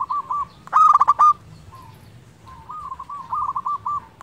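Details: Zebra dove of a local strain singing as a lure for reluctant birds: a brief loud burst of rapid harsh rolling notes between quieter strings of soft, trilled cooing.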